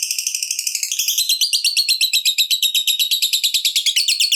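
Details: Lovebird fighter giving a long ngekek, a fast rattling chatter of harsh high notes pulsing about three times a second, steadily continuous, used to provoke rival lovebirds into singing.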